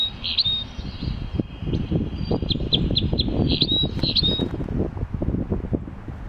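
Common chaffinch giving short, high, sharp call notes, some in quick runs of four or five, over a heavy low rustling and rumbling background.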